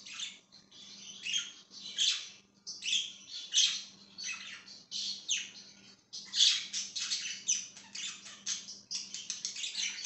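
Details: Budgerigar chirping on 5/10/2023: a long run of quick, rasping chirps and warbles in bursts, a short pause near the middle, then denser chatter, with a soft indoor hum.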